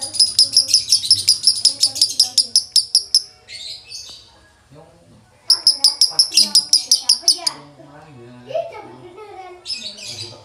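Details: Two bursts of rapid, sharp high chirping from a male lovebird singing dry-toned konslet, separated and followed by people talking.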